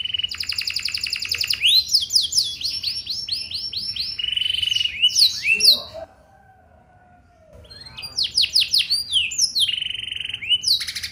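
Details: Canary lure song in a rich, ornate cengkok style, played to draw other canaries into singing back: long, fast, high buzzy trills and rolling repeated notes, a brief pause near the middle, then more rapid sweeping trills.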